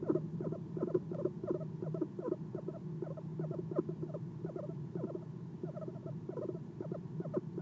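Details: At a nest box before dawn on 6 November 2016, an Eastern screech owl gives soft chirps on the perch, captured by a nest camera; low rapid notes run in loose, slightly uneven clusters throughout.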